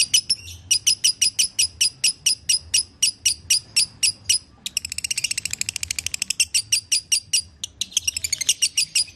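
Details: Lovebird song used to get a caged lovebird singing again: a long run of shrill evenly spaced chirps, breaking into a rapid buzzy chatter, then more chirps and twittering.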